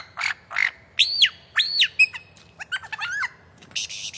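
A lyrebird runs through a rapid medley of varied notes: harsh squawks, looping whistles rising and falling, quick chips, then a burst of hissing noise.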